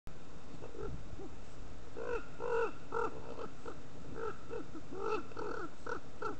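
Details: Two ravens mobbing a great horned owl give a quick, uneven run of about a dozen harsh, nasal croaks, some doubled, over a steady low rumble of wind.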